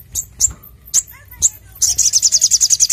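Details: Brown-throated sunbird singing loudly and clearly, a recording meant for luring and training: a few emphatic high chips with soft lower slurred notes, then a rapid, steady rattle of high repeated notes.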